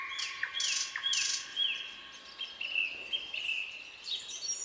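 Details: Forest at night with a Common nightingale singing: loud clicking bursts and repeated falling whistled notes, then a series of steady mid-pitched whistles over a faint hiss.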